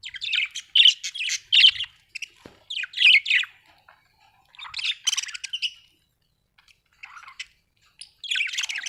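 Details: Happy budgerigar chatter: clusters of buzzy, scratchy chirps and warbles separated by short silences, quieter in the middle and resuming strongly at the end.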